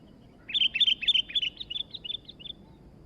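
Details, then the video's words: Sooty-headed bulbul, newly kept and singing hard, pours out a fast chattering run of roughly fifteen bright whistled notes that gradually soften toward the end, over a quiet hiss. "burung kutilang baru Gacor dor"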